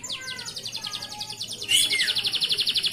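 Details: Continuous song of a male local canary used to train young canaries: a rhythmic pulsed trill with low gliding undertones, a sudden loud upward whistle, then a brighter rapid trill.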